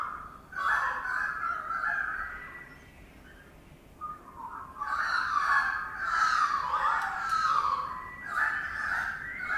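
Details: A currawong building a nest early in the morning in Sydney gives loud, fluty, wavering calls in three drawn-out bursts, each sliding up and down like a ringing whistle, with short quiet gaps between.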